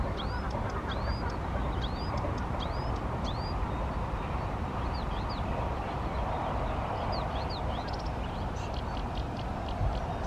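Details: Marsh warbler seen and heard singing during a morning walk in Poortugaal, Netherlands; quick thin upward-curving notes and brief chatter, fairly faint under a constant heavy rumble of traffic or wind.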